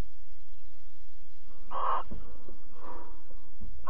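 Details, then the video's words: A barn owl at Alphen, 22 April 2020 at 21:37, during mating and cuddling. One loud, short, grating screech is followed by a fainter, softer rasp, then the start of another call. "Kerkuil Alphen 2020 04 22 Paring en Kroelen"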